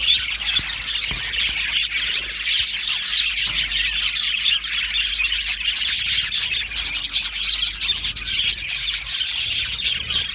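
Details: Australian budgerigar colony in an aviary, unbroken high chattering and squawky chirps from numerous birds, with faint low thumps.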